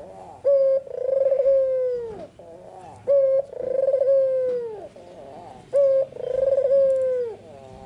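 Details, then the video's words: White red-eyed Barbary dove singing in the afternoon gives a clear, rolling coo: a short note then a long purring rolled note, repeated three times about every two and a half seconds. "Suara burung puter putih mata merah full gacor-Nyanyian merdu di sore hari sangat tajam dan jernih"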